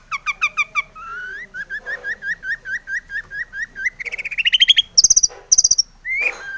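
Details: Long-tailed shrike in lively full song with mimicked fill-ins, used as a lure to provoke other shrikes to sing. It opens with a rapid run of short notes, then repeated rising whistled slurs, a rising trill and harsh bursts.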